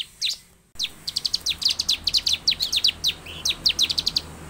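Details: Bar-winged prinia singing to draw a response from caged birds: a lone chirp, a brief silence, then a steady rapid train of sharp, high, clipped notes.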